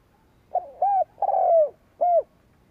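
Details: Decoy spotted dove calling to stir up rival birds, giving one full phrase: a soft short coo, a rounded coo, a long drawn-out descending coo, then one clipped closing coo, with no other sounds.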